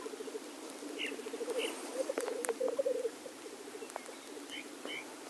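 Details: Black grouse males displaying at the lek: a low pulsing, bubbling roll that swells in the middle, with a few higher calls and clicks around it.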